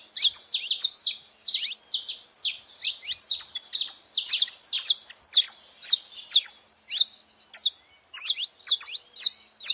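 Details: Lots of noise from a saffron finch at a baited feeding spot, a continuous stream of sharp, high chirps and clipped notes in rhythmic bursts.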